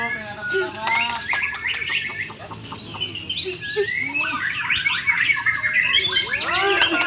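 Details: White-rumped shama singing: a loud, rich and varied stream of whistled phrases, slurred rising and falling notes mixed with rapid chattering bursts, continuous for seven seconds over a busy background.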